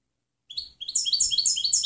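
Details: European goldfinch song, a clean recording used to train other birds: after a brief pause, a quick run of bright twittering notes with sliding, chirpy elements, continuous to the end, with no other sounds.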